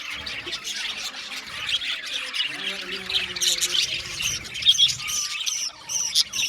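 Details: Budgerigars in an aviary colony, chirping and singing: a busy chatter of squawks, warbles and high twittering notes from several birds at once, with a few louder harsh calls.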